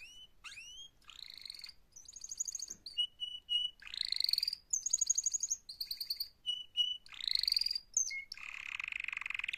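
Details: Canary mating-call song, somewhat quieter, alternating sliding whistles, buzzy rising phrases, steady pure tones and short trills, with a harsh rasping section at the end.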